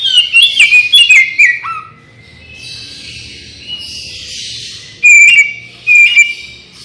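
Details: Oriental magpie-robin song for luring birds into responding: a burst of descending whistled notes, then a quiet hissy pause, then two loud whistled phrases near the end.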